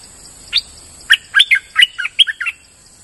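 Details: Streak-eared bulbul, used as a lure call, giving a lively run of about eight bubbling, warbled notes in quick uneven succession, each a short liquid upslurred phrase, over a steady high-pitched insect drone.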